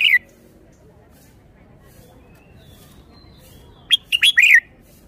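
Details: Red-whiskered bulbul song, noted for good phrasing and lively style: a downslurred note cut off at the start, then a long quiet gap before a full phrase of sharp whistled notes ending in a falling warble.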